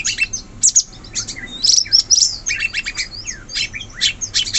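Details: In wild forest, a sooty-headed bulbul delivers busy clusters of high chirps and short downward-slurred whistles in repeated bursts.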